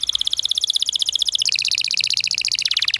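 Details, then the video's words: Long canary roll used to coax young canaries into singing: dense, rapid, evenly spaced high trilling notes that step down in pitch partway through and end with a dropping slide. "PANCINGAN Kenari GACOR PANJANG Cuit Cuit EMOSI‼️ MASTERAN Kenari PAUD belajar BUNYI"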